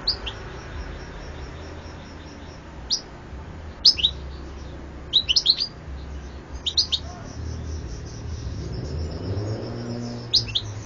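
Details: European goldfinch uttering short clusters of sharp, high twittering notes every second or two, some paired, against a quiet rumbling background.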